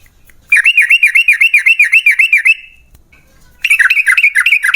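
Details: Long 'ropel' song of a yellow-vented bulbul, played as a lure so other bulbuls answer: a quick run of about fifteen evenly spaced, bouncing chirped notes, a pause, then a second fast burst.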